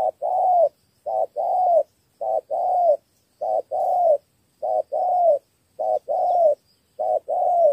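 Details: Spotted dove from Cà Mau, Vietnam, singing a 'thổ 3 âm' three-note coo. Steady short-then-long cooing pairs come about every 1.2 seconds, six pairs in a row, with a clean, quiet background.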